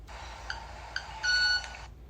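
Club-winged Manakin wing sound: two sharp ticks about half a second apart, then a ringing, violin-like tone held for a third of a second.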